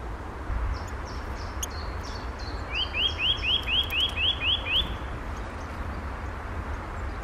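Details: Eurasian nuthatch calling on a snowy morning, 6 April 2021: a quick run of eight clear, rising whistles, about four a second, after fainter high notes, over a low rumble of wind or distant traffic.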